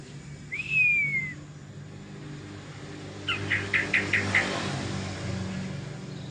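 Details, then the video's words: White-rumped shama singing in the ngelowo style: one long clear whistle sliding gently downward, then after a pause a quick run of five short bright notes, all over a steady low rumbling hum. "Burung murai bunyi ngelowo"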